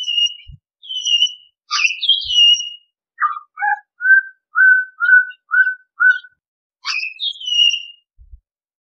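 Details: Pied Butcherbird song mixing sharp high chirps and slurred notes with a run of seven evenly spaced mellow whistles at a steady pitch, roughly twice a second, before a final high chirped flourish; faint low thumps in background.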